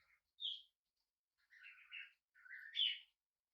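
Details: Tame young budgerigar, hand-fed, on its first day in a new home: one bright chirp, then a short buzzy warble and a rising, squeaky trill, clean and close against silence.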